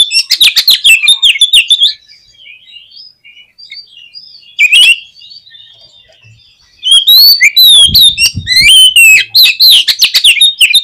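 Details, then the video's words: Lure song of an Oriental magpie-robin meant to spur pet birds to sing: loud bursts of fast, varied whistles and chattering notes, broken by a quieter gap with soft distant chirps. "KACER KURANG EMOSI ?? PUTAR SUARA INI DI JAMIIN KACER KALIAN AUTO BONGKAR ISIAN"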